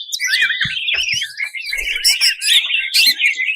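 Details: Brief burst of harsh, excited greater green leafbird song from a champion contest bird: scratchy twisting notes and quick sharp whistles run together.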